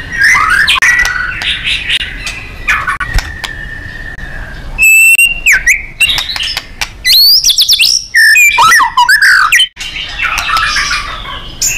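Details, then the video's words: White-rumped shama, a loud, lively nembak-style training recording for contest birds: soft scratchy warbles and clicks, then loud bursts of sharp whistles and quick rising notes, then more warbling. "Murai GACOR & NEMBAK ...FULL POWER & FIGHTER"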